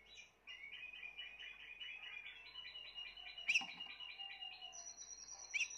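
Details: Spanish Timbrado canary, one of this year's 2020 birds, singing a steady run of quick repeated trilled syllables at mid-high pitch. Two sharp louder chips break in partway through, over a faint background hiss.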